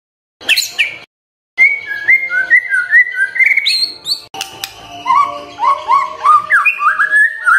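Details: White-rumped shama morning song for provoking quiet birds: long sequences of varied whistled notes, rising and falling, in rapid succession after a short opening burst, with a faint steady tone underneath.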